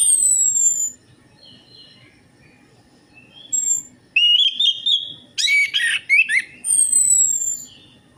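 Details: Orange-headed thrush singing, played as a lure to prompt quiet birds. It opens with thin, falling high whistles, then after a pause comes a run of rich, rapidly varied warbled and twittering phrases.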